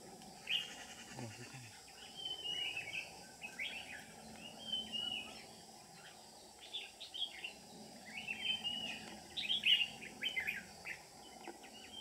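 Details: Competitive song from a Red-whiskered bulbul lure bird, Ché type, during trapping on 13 May 2019: bright, slurred, whistled phrases repeated every second or two across the recording, with a constant hissing background.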